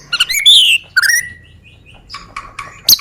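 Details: White-rumped shama from Medan, recorded as a lure to provoke other birds into song; short bright whistled phrases with sharp chirps separated by brief pauses.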